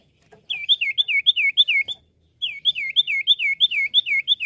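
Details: Common iora song played as a lure call: rapid runs of high, downward-slurred whistled notes, two bursts of about eight to nine notes each separated by a brief pause, with no other clear sounds.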